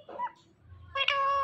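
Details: Talking Indian ringneck parakeet: a short, rising, voice-like syllable, a brief pause, then a louder, sustained, nasal, speech-like phrase rich in harmonics, mimicking a human word.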